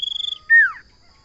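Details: Common iora (cipoh) finishing a high trill, then after a short gap a single loud whistle that starts level and sweeps steeply downward.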